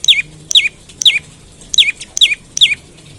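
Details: Olive-backed tailorbird calling in the morning, played as a lure to prompt other tailorbirds to sing: sharp, high notes that slide downward, repeated rapidly about every half second, six calls in quick succession.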